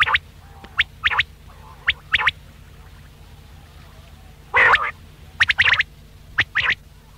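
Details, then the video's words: Quail lure recording for hunting. There are repeated phrases of a sharp note followed by a quick double note, then a loud harsh burst and further clipped paired notes, with a constant faint low hum in the background. "Batair ka Bulara | VOL 66 | Quail Voice"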